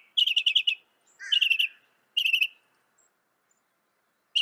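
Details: Northern mockingbird, a North American songbird, singing varied phrases: a quick trill of repeated chips, a sliding slurred phrase, another rapid chip series, then silence before a final note begins.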